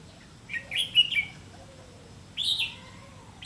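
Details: Red-whiskered bulbul responding near a decoy bird during trapping, 30 May 2016; a rapid run of warbled, liquid notes, then a second buzzy, slurred phrase about a second later, in a quiet setting.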